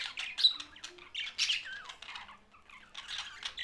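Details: Budgerigars kept in Larkana, Sindh, give short bursts of harsh chirps and a few sliding warbled notes, separated by brief pauses.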